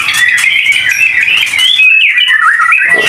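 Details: A prize-winning White-rumped Shama, still adapting to its new home, sings while being lightly sunned just before eating. It gives a loud, continuous run of rich whistles and chattering phrases rising and falling around the middle register, with a faint indoor echo.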